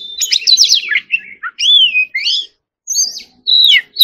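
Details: Oriental magpie-robin opening with a fast tumbling chatter, then slower drawn-out whistles that swoop and waver, broken by a short silence before more whistled notes.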